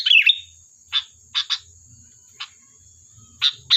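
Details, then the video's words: Sooty-headed bulbul in lively, vocal form, used to lure other birds into replying: a loud, twisting chirp opens, followed by short, sharp, high chip notes spaced irregularly about every half second to one second, over a faint steady high hiss. "Suara burung Kutilang Gacor || Ampuh untuk pancingan, dijamin nyaut"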